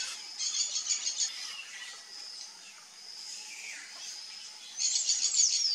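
Sayaca Tanager giving a high, squeaky run of thin notes in fast bursts, with softer chirps from other birds between.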